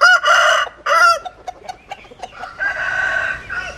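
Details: Rooster crowing: two short harmonic bursts in the first second, then a longer steady, tonal crow near the end, with faint clucks between.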